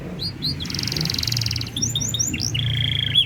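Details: Canary master song, super cengkok in blak strut style, meant to stir other birds into song: a buzzy high trill, quick chirping sweeps and a steady whistled rattle over low hum.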